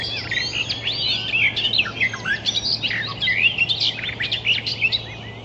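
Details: Wild Icterine Warbler singing a fast, varied run of high chirps, slurred whistles and twisting notes that rise and fall without pause over about five seconds, with a steady low hum beneath.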